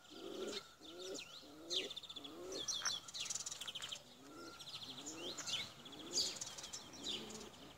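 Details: Tumbler pigeons being flown give soft, low, rolling coos, repeated about once a second, over a busy background of high chirping small birds.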